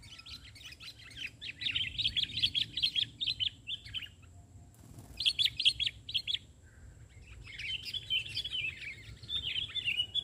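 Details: A sooty-headed bulbul sings on the ground during bird trapping instead of from a branch. Bursts of fast, scratchy twittering come in three spells separated by short pauses, over steady low background noise.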